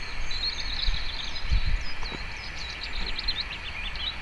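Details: A European robin sings quietly to itself in the sunshine on a Sunday afternoon, in thin, high, trickling warbles that rise and fall without pause, over a steady low rumble of distant traffic.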